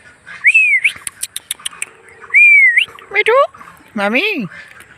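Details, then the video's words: Pet Indian ringneck parakeets at home make two arched whistles split by rapid clicks, then two loud harmonic squawk-like talking calls sliding downward, amid repeated spoken-sounding "me too" phrases. "Indian Ringneck Funny Sound"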